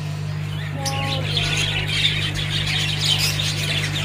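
Budgerigars chatter in busy, scratchy chirps and warbles, mostly high-pitched and continuous, over a steady low electrical hum.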